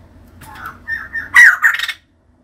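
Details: Female white-crested laughingthrush in active voice gives a short phrase of rising squawky, whistled notes that ends in two loud harsh bursts, followed by silence.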